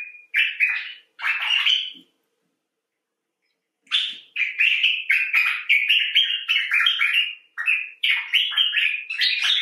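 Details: Common bulbul (Pycnonotus barbatus) "talking": bursts of bright, chattering notes around mid-pitch, several short phrases in quick succession after a brief pause; no other sounds stand out.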